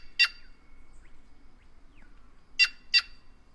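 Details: White-naped jay (Cyanocorax cyanopogon) of the Brazilian caatinga: one sharp harsh note, a pause with faint rising chirps, then a doubled burst of the same raspy call.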